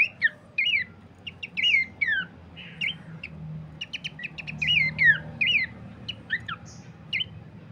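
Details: Horsfield's Babbler as a lure and master for teaching birds: scattered phrases of slurred downward whistles mixed with brief clicks, separated by short gaps, loudest in the middle, over a low background hum.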